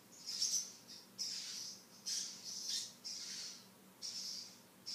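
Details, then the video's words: Pet male African grey parrot, a talking bird with a wide vocabulary, gives a series of short, high, harsh squawks or whistles about every second, each rising and then fading, in a quiet room. "the talking African grey"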